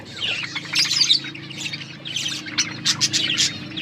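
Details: Budgerigars eating corn, chirping as a group; warbling high notes early, then sharp squawky chirps at the end, over a steady low background hum.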